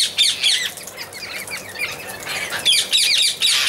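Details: Amazon parrot uttering rough, grating squawks in quick runs, loud bursts at the start and again near the end, with a constant chatter of other birds behind.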